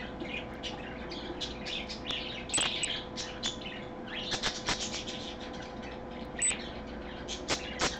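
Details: Pet parakeet on a live stream, Sunday 24 August 2014 at 3 PM: short, bright chirps and tweets repeated irregularly throughout, with a few sharp clicks or wing-flutter bursts over a steady low background hum.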